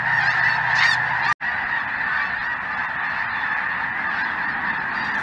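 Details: Winter flock of Snow Geese and Greater White-fronted Geese over southern Indiana, chilly afternoon; strong continuous honking with a low hum in the first second, a sudden short gap, then the dense chorus carries on.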